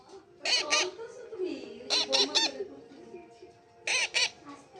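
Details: Harsh paired squawks from a young pet parrot, "chi chi" calls in groups of two or three separated by softer murmuring sounds.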